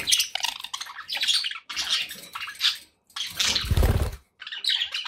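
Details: Budgerigars chattering in scratchy, buzzy bursts of chirps, interrupted by a low splashing or rumbling noise in the middle.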